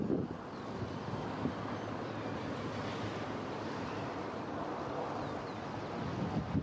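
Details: Steady roar of ocean waves and wind, a boat-like rumble underneath, and no animal calls.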